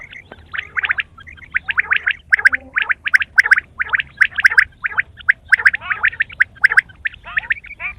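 Quail chatter in dense, harsh, gargling bursts that overlap almost without pause, with a few thin high notes mixed in.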